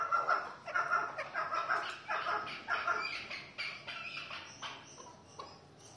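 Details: Fighting chukars giving a series of harsh, clucking notes, each burst stacked with harmonics and repeated roughly every half second, loud at first and fading toward the end.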